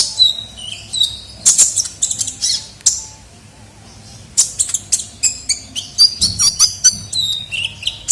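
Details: Sunbird (kolibri ninja) lure recording of a bird in full voice: sharp, very high chirps and short trills in quick bursts, with a pause of near silence midway before the rapid notes resume.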